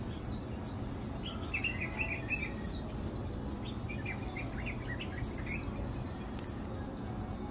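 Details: Lowland white-eyes (Zosterops meyeni) at Matang Dulong on 2 August 2022 give a steady stream of high, thin chips and short twittering notes, several birds overlapping, over a constant low rumble.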